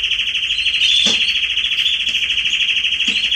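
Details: Garden canary recorded in September 2020, holding a continuous rolling, water-like trill at an even pitch, broken by a few faint clicks.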